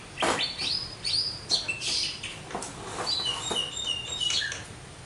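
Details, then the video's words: Javan myna, or jalak kebo, in energetic full song: sharp clicks and chips followed by a run of short high whistles and mimicked notes, steady and varied throughout. "burung jalak kebo gacor,full materi"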